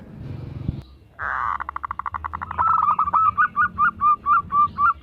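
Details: Lure zebra dove of local stock sings a rapid rattling train of pulses that settles into evenly spaced rounded coos, about four per second, after a short quiet pause; low background rumble.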